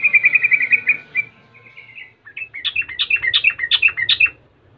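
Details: Sooty-headed bulbul in 'rol' lure song meant to provoke rivals: an evenly pulsed trill, a short buzzy glide, then a lively chattering series of jumping, varied notes.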